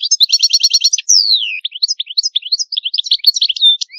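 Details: Goldfinch song in the antique Palermo Sicilian style, clean and free of noise: a rapid buzzy rattle of repeated notes for one second, a long sliding whistle falling in pitch, then a lively stream of varied twittering chirps ending in a steady tone.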